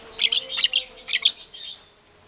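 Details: White-rumped shama singing vigorously as a lure to rile up listening shamas: three quick bursts of high, bright chirping trills, then a fading whistled tail and near silence.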